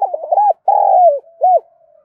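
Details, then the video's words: Đồng Nai spotted dove cooing as a lure: a quick broken opening, a drawn-out coo sliding downward, and a short rounded closing note, clear and close with no other sounds. "Chim cu gáy Đồng Nai gáy gọi/ tiếng cu gáy mồi chuẩn"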